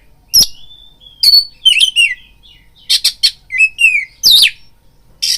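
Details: Oriental magpie-robin song played as a fighting lure: sharp clicks, a long thin whistle, harsh buzzy bursts and quick downslurred whistles, loud and varied.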